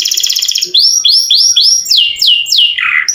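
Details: Canary in full song, a long-rolling singer used to coax quiet canaries into singing: a rapid high trill opens, followed by four repeated whistled notes that rise then fall, then a run of steep downward sweeps.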